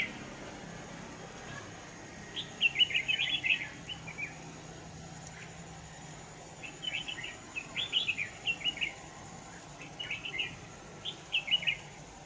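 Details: A red-whiskered bulbul sings during decoy trapping in Vietnam on 25 November 2018, delivering four separate bursts of rapid, bubbly whistled notes several seconds apart over a faint steady background hiss.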